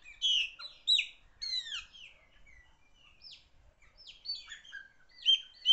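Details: Chopi blackbird, a loud-voiced singer, gives several bright, clear whistled phrases of quick upslurs and downslurs separated by short pauses, in a quiet setting.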